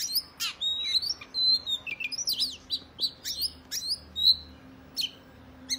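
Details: Oriental magpie-robin fighting song that provokes other males: tumbling whistled notes and twisting slurs, then sharper isolated chips separated by short pauses, with a faint steady hum behind.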